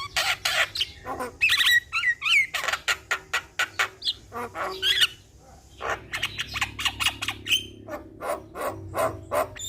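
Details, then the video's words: Lively Asian pied starling song played to prompt a stressed starling: loud dry rasping notes in fast runs, mixed with twisting whistles and squeaks, a short lull, then more rapid chatter. "Suara Jalak Kebo Gacor"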